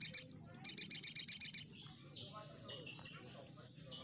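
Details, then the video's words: Crimson sunbird in lively song, used as a lure for birds to answer: a brief high chatter, then a second-long string of fast, even, piercing notes, trailing into thin, wavering twitters and one sharp chip. "Di Jamin Respon Sogon Langsung Nyaut | Burung Sogon Gacor"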